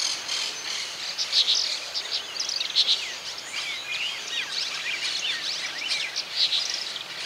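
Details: Brown-chested martins recorded in Santa Fe, Argentina, in 2023, giving dense, overlapping chirps and liquid twitters, some sharp double notes, continuous against a hissing rural background.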